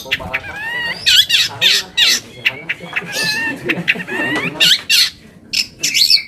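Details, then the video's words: Long-tailed shrike lure song, played to make other shrikes answer angrily: loud, rasping squawks alternating with wavering, warbled tones and quick harsh bursts, each burst separated by brief pauses. "PANCINGAN AMPUH BURUNG CENDET AGAR CEPAT GACOR - cendet manapun langsung nyaut dan emosi"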